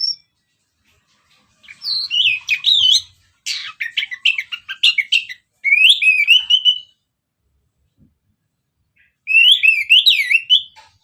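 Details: Orange-headed thrush singing as a lure, in four separated bursts of varied warbled whistles, slurred up-and-down notes and rapid twittering, loud and high-pitched, with quiet gaps between phrases.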